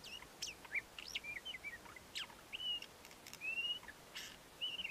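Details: Male ant-eating chat singing its courtship song: a string of short whistled notes, some sharply rising or falling, others slurred, level and sweet, with brief clicky bursts between phrases over a quiet background.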